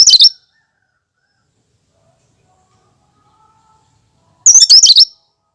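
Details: Natural cucak kinoi song without mimicry, used to prompt and lure birds. The end of one chattering phrase, a pause of about four seconds, then a full burst of rapid, high, squeaky notes.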